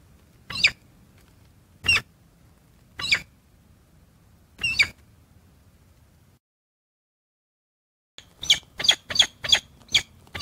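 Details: Female peregrine falcon, very vocal near the male, gives harsh, scratchy calls: four spaced about a second apart, a pause, then a fast run of about seven grating notes.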